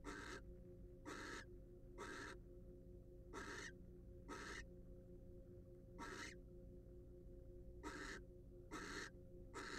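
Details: Nest-box recording of wild barn owls: a long run of about ten rasping hiss-screeches, roughly one each second, slightly irregular in spacing, over steady background hum.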